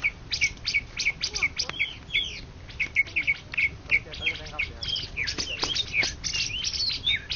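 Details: Champion greater green leafbird, ranked first across Indonesia in 2013–2014, singing over the noise of burning rubbish. Its bright chirps and whistled notes come in quick, varied bursts, with constant crackling noise underneath.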